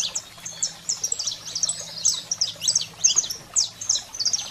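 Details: Saffron finch, canário-da-terra, in a fiery 'wild fire' song meant to stimulate and fire up pet birds: rapid high chirps and short buzzy slurs, delivered in quick bursts with brief gaps, over a faint low hum.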